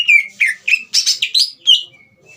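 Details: Vigorous song of a Green leafbird meant to stir a young trainee bird: a rapid run of rich, buzzy, downsweeping whistles and chattering notes, ending with a thin drawn-out tone.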